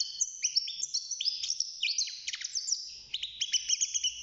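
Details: Young European goldfinch in a cage, six months old, singing a rapid, unbroken twitter of high chirps and short slurred whistles that carries on through the whole stretch.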